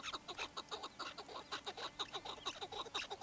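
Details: Chukar partridge calls form a rapid series of short, evenly spaced chuck notes, roughly one per second in pairs, over a low constant hum.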